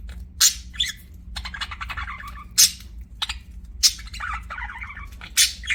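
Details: Budgies alternate shrill, sharp squeaks roughly every second or so with gurgling, warbled chatter between them, over a faint hum.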